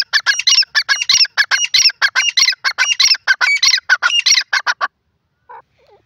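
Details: Male grey francolin (desi teetar) calling: loud, harsh squawking notes repeated rapidly at about 95 per minute in a steady burst of nearly five seconds. Silence follows, with one faint short sound.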